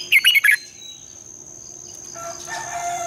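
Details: Red-whiskered bulbul morning song in a long double twisting voice for spurring birds to sing: one quick phrase of four loud looping whistled notes, then quieter background chirps and a thin steady hum.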